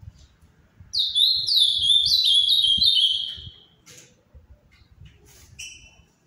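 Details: Captive Ultramarine grosbeak of the Paraná type, its song held the finest in Brazil, delivers a rich three-second run of looping whistled notes stepping downward, followed by a few thin high chips amid quiet low rumbling.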